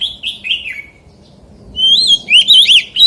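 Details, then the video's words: Magpie-robin delivering forest-voice song: soft descending whistles, a brief hush, then loud wavering whistled notes that rise and fall in quick succession. "CHÒE THAN HÓT GIỌNG RỪNG SIÊU HAY - Suara Burung Kacer Gacor"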